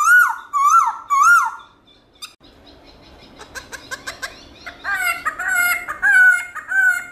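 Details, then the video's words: Black-throated laughingthrush singing many-voiced wild song: three looping whistled phrases, then a stretch of scratchy clicking notes, and finally strong warbled whistles. "Khướu bạc má HÓT GIỌNG RỪNG nhiều giọng âm to rõ cực hay"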